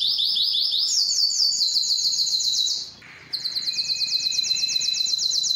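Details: Belgian canary song for training and for stimulating females to breed: fast pulsed trills, a brief silent gap, then another high rapid roll over a softer lower tone.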